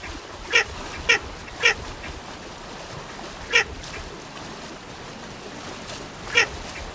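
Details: A run of three rapid rasping notes from a Baer's pochard, then two more isolated calls after longer pauses, over constant faint hiss.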